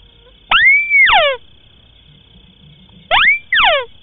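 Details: Lure recording of a white-browed crake for marsh and paddy birding: two calls about two and a half seconds apart, each a rising-then-level whistle followed by a cascade of descending rasping notes, with a thin constant whine behind.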